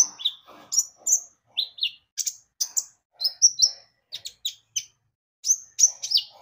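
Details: Javan white-eye song used as a lure to prompt birds to sing: very high, clear chirps and short slurred whistles in quick separate bursts, roughly two or three per second, with brief pauses between phrases.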